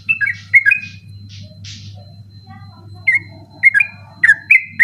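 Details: Sooty-headed bulbul heard at night for training competition birds: a few whistled phrases at the start, a quiet gap with faint soft notes, then bursts of bright falling-and-rising whistles returning, low hum in background.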